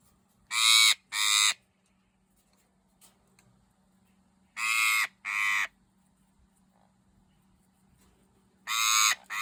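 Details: Hungry Eclectus parrot giving loud, harsh, raspy squawks in pairs, each pair a few seconds apart, with a faint low hum beneath.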